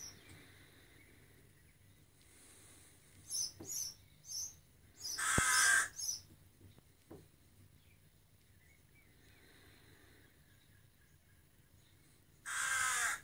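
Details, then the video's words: Young rook fledgling calling for food: two widely spaced, hoarse, rasping caws, each about a second long, with soft high chirps in between and a quiet background. "The Baby Rook Cawing for Breakfast"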